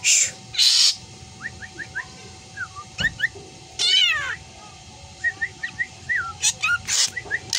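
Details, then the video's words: Black drongo imitating a cat's meow: two loud harsh bursts, then a descending meow-like sweep with stacked overtones in the middle, among scattered short thin whistled notes. "Inilah Burung Sri Gunting Yang Doyan Ngomong Meong Dan Teriakan Anehnya"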